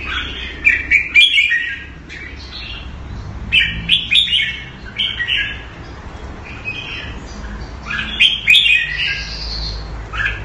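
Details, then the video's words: Caged red-whiskered bulbul kept Thai style in Singapore, recorded around 14 February 2018, gives bursts of bright, warbled whistled phrases every few seconds, with quieter gaps and a low background hum between them. "สิงคโปร์เลี้ยง นกหัวจุก - Singapore play Jambuls Thai style"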